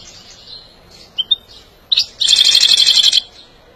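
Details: European goldfinch song for training and stimulating birds: a few thin, high notes, then a fast, buzzy, metallic trill of rapidly repeated notes lasting about a second.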